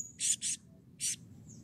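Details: Blue-crowned hanging parrot giving three shrill, raspy high notes, two quick ones then one after a pause, used as a lure to get other birds calling; faint low background hum.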